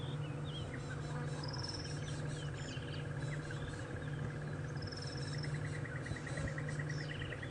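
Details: A Crested Barbet heard on a morning safari drive at Djuma and Arathusa on 15 November 2014 gives a long, even trill, like a muffled alarm clock, over a vehicle engine's low rumble, with thin chirps from other birds.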